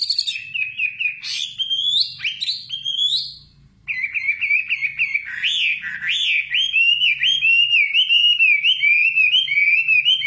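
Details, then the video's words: A common nightingale sings a rich, fast, varied warble of rising whistles and chattering notes, phrases tumbling almost without a break after one brief pause. "Singing nightingale. amazing bird song"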